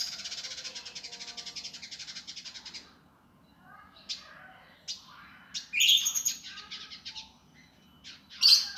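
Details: Indigo flycatcher, a master recording for training birds, in a coarse, fast, tightly packed singing style: a rapid buzzy trill for about three seconds, then scattered sharp chirps and high squeaky notes.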